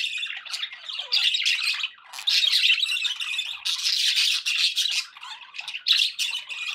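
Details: Pet budgerigars chattering indoors: dense, scratchy warbling and squawky notes, high-pitched and nearly continuous with brief pauses, no other sounds.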